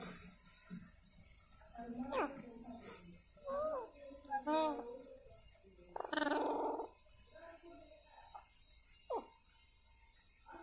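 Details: Talking pet Alexandrine parakeet (ringneck Indian parrot) utters short speech-like phrases with bent, rising and falling tones, separated by pauses, in a quiet small room.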